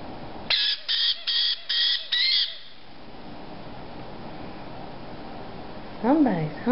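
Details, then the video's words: Begging white-bellied caique chicks aged 5 to 6 weeks, hungry, produce a burst of five raspy, strained squawks in about two seconds; after a quiet pause a short wavering nasal call follows near the end. "Baby White Bellied Caiques 5 to 6 weeks old"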